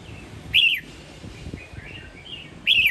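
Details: Red-whiskered bulbul, Sông Kon strain from Quảng Nam, Vietnam, singing in the morning: two loud slurred whistled notes at start and end, with soft warbled notes between, over low background hum.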